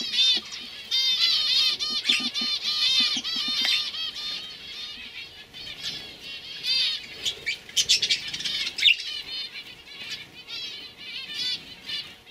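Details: Several 2015 juvenile canaries singing loudly: rapid repeated trills and rolling warbles, a brief run of lower chirps early on, sharp whistled notes later.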